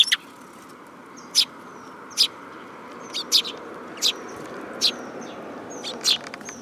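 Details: At a Tenmangu shrine on 7 July 2022, sparrows approach a hand holding food, giving crisp single chirps roughly every second, sometimes in quick pairs, alongside faint high whistling notes.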